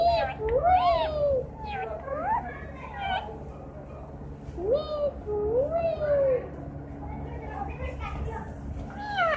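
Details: Singing green parrot giving repeated curved whistles that rise then fall, in bursts every couple of seconds, with some quick sliding notes and a constant low hum in the room.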